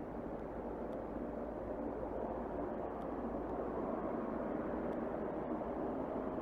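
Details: Steady broadband rumble like a distant vehicle or aircraft, with no animal voice heard.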